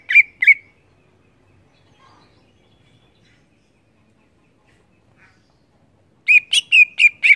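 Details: Greater green leafbird in energetic gacor ngeplong singing: two sharp, buzzy notes, then a long silence, then a rapid run of five harsh, ringing notes at the end.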